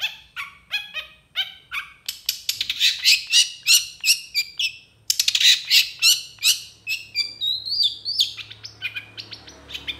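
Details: Long-tailed shrike (Lanius schach) pours out a fast, varied song of sharp chattering notes and bright high whistles, with repeated phrases at a rapid, uneven pace.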